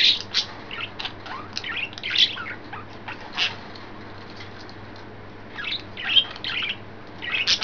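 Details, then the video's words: Excited, playful budgies kept as pets, three birds in green, yellow and white, 29 May 2012: busy overlapping high chirps and twitters, a quieter gap midway, then chattering resumes. "excited and playful budgies"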